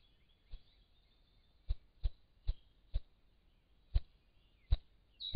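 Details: Ruffed grouse drumming on a log in Monroe County, Ohio, on April 5, 2013: deep, muffled thumps at uneven intervals, about eight in five seconds, with a faint steady high whine in the background.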